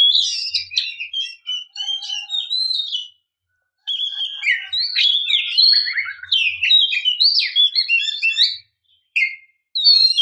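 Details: Female white-rumped shama calling to stimulate the male into singing; a busy stream of high whistled, chattering notes with quick slurs for about three seconds, a pause, then more varied whistles and twitters.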